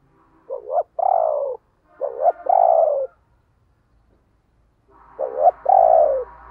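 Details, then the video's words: Spotted dove used as a decoy to make others coo, repeating a two-part phrase three times: a quick stuttered note then a long, husky, slightly falling croo, with a faint low hum at the end. "Tiếng Chim Cu Mồi dùng Kích Bổi Hiệu Quả Mở Là Gáy"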